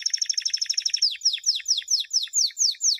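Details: Canary champion song from 2016, used to teach young canaries: a rapid rolling trill of high notes, then slower repeated downward-sweeping whistled notes about five per second, crisp and without background noise.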